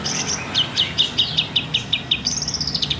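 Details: Caged long-tailed shrike of local Banyuwangi stock, Indonesia, a lively mimic with a loud voice: sharp high chirps repeated about three times a second, ending in a thin sustained twitter.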